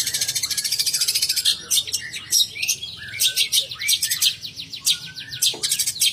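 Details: From Banyuwangi, a long-tailed shrike opens with a quick, even, buzzy rattle, then mixes high chirps, slurred whistles and short repeated trills in a lively, varied phrase.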